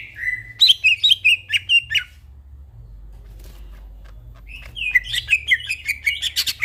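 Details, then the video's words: Night singing of a greater green leafbird, gacor style: a quick burst of whistled and chipping notes, a silent gap of about two seconds, then another energetic run of sharp whistles and rasps, with a faint hum. "burung cucak ijo bunyi tengah MALAM GACOR"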